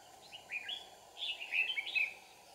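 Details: Red-whiskered bulbul decoy in a trapping session in Kim Bôi, Hòa Bình: quick rolling phrase of bubbly, up-and-down whistled notes against constant background hiss.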